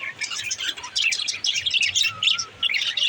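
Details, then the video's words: Pet parakeet warble made of bursts of rapid high chirps and squeaks, broken by short pauses, with a faint low whistle drawn out near the middle. "Beautiful parrot parakeet sound"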